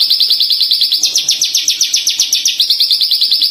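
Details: Tame branjangan (Horsfield's bush lark) in full song: rapid high chirping notes, briefly shifting to a harsher, higher-pitched stretch in the middle before returning to the even, rhythmic chirp series.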